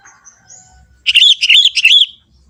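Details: Forest-dwelling young sooty-headed bulbul singing energetically in its natural voice: a single rollicking phrase of roughly seven fluty, bouncing notes lasting about a second, with quiet surroundings.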